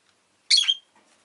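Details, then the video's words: Pet rosy-faced lovebird uttering a single loud, grating chirp that slurs slightly downward, followed by faint soft rustling. "Lovebird Chirping Sounds"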